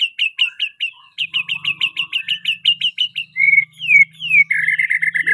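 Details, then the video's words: Murai batu, the white-rumped shama, singing a 'pastol isian mewah' song: a quick run of sharp, repeated whistled notes about two per second. It then shifts to longer falling slurs and a buzzy chattering trill. "murai batu pastol isian mewah"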